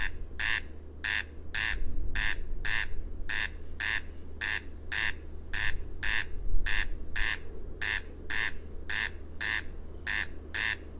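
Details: Rasping paired notes of a corn crake (Crex crex), roughly ten dry 'crex-crex' doublets over eleven seconds, evenly spaced and insistent, with a steady low rumble underneath.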